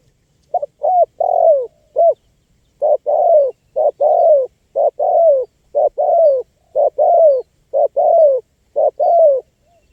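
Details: Spotted dove call used to lure wild birds: clear low cooing notes, a run of short coos then a longer falling coo, repeated about once a second in steady phrases, with no other clear sounds.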